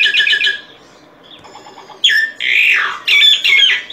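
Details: Solitary cacique song: a rapid buzzy chatter, then loud nasal slurred notes sweeping up and down in drawn-out phrases, close and strong.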